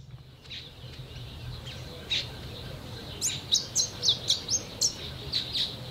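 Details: Pin-tailed Whydah calling from an exposed branch as a song post. After a faint opening chirp comes a rapid series of high, thin, squeaky notes, roughly two each second, over low background rumble.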